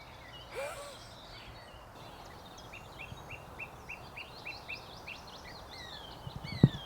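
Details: On a walk at a fairly new site full of loud birdsong, a singing song thrush repeats one short, clear, hooked note about three times a second over steady low rumble, with faint higher whistles from other birds.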